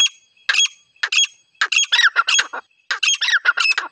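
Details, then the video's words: Female grey francolin (desi titar) call used for hunting, in a rural village setting: bursts of harsh, squawky, scratchy notes in short clusters separated by brief pauses, gradually becoming more continuous toward the end. "Dise Titar ki shekar ki awaz Dise female titar ki awaz female titar ki shekar ki awaz"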